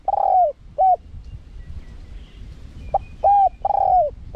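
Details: Wild-style spotted dove song, small voice, with khat, nun and ku ang parts, meant for luring wild doves: a long falling coo and a short one, silence, then a quick note, two longer slurred coos and a final short coo.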